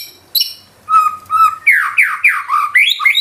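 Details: White-rumped shama (murai batu) in gacor nembak song with isian: two steady level whistles, then a quick run of about six loud downward-slurred whistled notes, ending with rising phrases.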